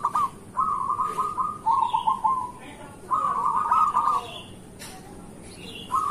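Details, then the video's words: A local zebra dove sings soft, rapid staccato cooing phrases around one low pitch, several bursts in a few seconds, with faint higher chirps from other birds; a morning recording meant to prompt quiet or moulting doves to coo. "Perkutut lokal gacor pancingan untuk pagi hari"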